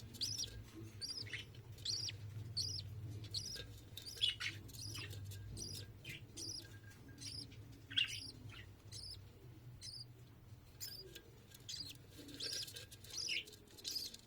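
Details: Budgerigar (Melopsittacus undulatus), begging call: chick begging while being fed.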